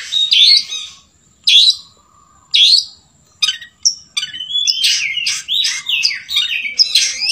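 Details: Long-tailed shrike singing a song learned from the sooty-headed bulbul: three harsh scratchy bursts about a second apart, then a run of fast, varied, slurred whistles rising and falling.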